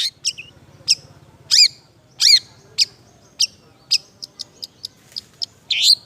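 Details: Long-tailed shrike giving a semi-active 'isian' mimicry song: high sharp tweets roughly every half second, two loud rasping down-curved notes early on, then quicker thin ticks and a final harsh squeal.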